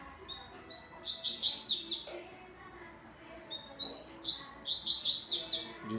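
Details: Captive double-collared seedeater near the end of its moult singing two bursts of a fast, high, buzzy rattling phrase, each starting with thin whistled notes.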